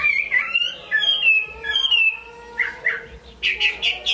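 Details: Chinese hwamei from Hải Phòng, Vietnam, singing strongly: long slurred whistles with rich overtones sliding down, then a pause and a burst of loud, short, bright notes repeated quickly at the end.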